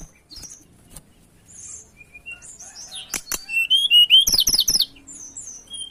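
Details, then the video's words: Mountain tailorbird song for luring birds: scattered high thin notes build into a loud burst of quick, repeated high whistles and sharp slurred chirps. "Suara Pancingan Ampuh Burung Tledekan Gunung gacor"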